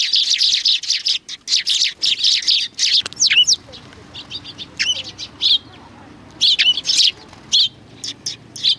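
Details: A group of sparrows gathers to greet someone at a Tenmangu shrine on 3 July 2020. Dense, overlapping tweets fill the first seconds, then thin out into separate high chirps with short gaps.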